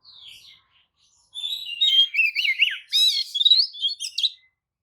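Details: Oriental magpie-robin singing a provoking lure song for other magpie-robins: a soft opening note, then a dense run of looping whistles, chattering trills and sharp buzzy rasps lasting about three seconds.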